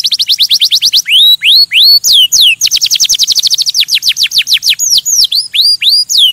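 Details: Canary singing to stimulate other birds, mixing fast trills of falling notes with slower, louder swooping whistles that repeat in several runs.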